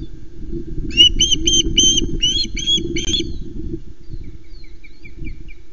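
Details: Osprey at a nest on Loch Arkaig, filmed by a live nest camera as a fish is delivered to the nest: a quick run of about eight sharp, high, chirping whistles, then faint scattered chirps over a steady low wind rumble.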